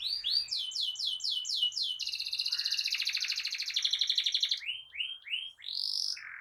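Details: Singing canary in gacor ngerol style, a tutor for young birds and trigger for canaries gone quiet: a run of rising notes, a sustained buzzy rolling trill, then more rising chirps.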